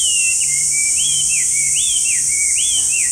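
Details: Rich whistled song of a Chinese hwamei: looping, wavering notes that rise and dip in smooth arcs, delivered without pause against a constant hiss.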